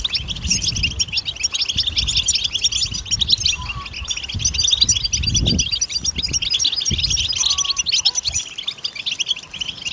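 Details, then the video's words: Goldfinch singing, recorded for luring birds when hunting; rapid chattering twitters and liquid trills run almost without pause, over intermittent low rumbling knocks. "صوت الحسون ممتاز لصيد"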